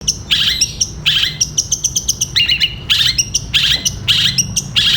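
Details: Long-tailed shrike (cendet) song used for training caged birds, in the style called gereja petir: bursts of sharp, high chirps and harsh notes in quick clusters, each lasting under a second, with low background hum.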